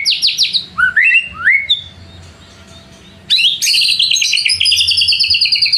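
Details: White-rumped shama lure song to provoke rivals: a quick run of rising notes and lower whistles, a brief quiet gap, then a dense, rapid, high chattering trill.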